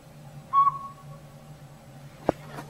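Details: Northern Pygmy-Owl, a tiny robin-sized owl living in an old sapsucker nest hole in a rotted hollow tree in backyard woods, gives a single short, clear whistled toot, followed later by a sharp click.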